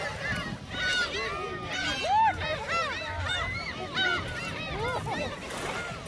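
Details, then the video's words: Gulls crowding around shrimp crackers at Seonjaedo, a continuous chorus of harsh, bending squeals and mewing cries from many birds overlapping throughout, with low rumbling background noise. "선재도 갈매기 새우깡"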